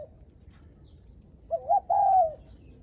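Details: Spotted dove guest-greeting coo, said to announce visitors coming home: one clear phrase of two short rising notes followed by a long smooth falling croon, after a brief trailing note.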